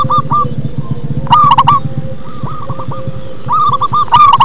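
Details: Local zebra dove in deep bass-style song, with repeated phrases of fast rolling coos alternating loud and soft, three loud bursts in all, over a persistent low rumble.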